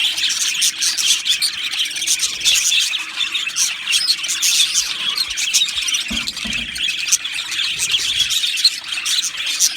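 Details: Many budgies in an aviary colony chatter together: constant high warbled song mixed with squeaky chirps and occasional harsher squawks, the loudness rising and falling slightly throughout.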